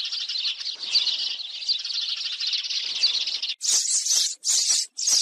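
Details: Sparrows, said to live in flocks and feed eagerly, heard in a trapping lure: a continuous twittering chorus, then three loud, harsh chirp bursts separated by short silences.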